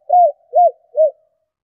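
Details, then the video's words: Three mellow, arched coos from a female spotted dove, evenly spaced about 0.4 seconds apart, heard against total quiet. She is calling to stimulate males. "Tiếng Chim Cu Gáy Mái Kích Bổi Nhanh Gáy"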